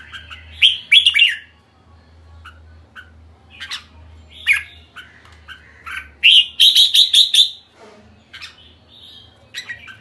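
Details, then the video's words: Red-whiskered bulbul giving its kekek call: scattered harsh, chirpy chattering notes, then a quick run of five sharp repeated notes near the end, with a faint low hum beneath. "Merbah jambul kekek"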